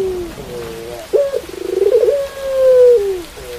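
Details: Pelung dove heard against rain: soft lead-in notes, then an abrupt start to a fast pulsed trill rising in loudness, followed by a long sustained level coo that drops off at the end.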